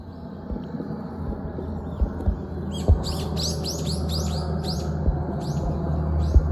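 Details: Common kingfisher at Zenpukuji Park, filmed on a smartphone with a telephoto lens: a quick run of about ten sharp, high, downward-sweeping whistled notes, over a low steady background rumble with a few soft knocks.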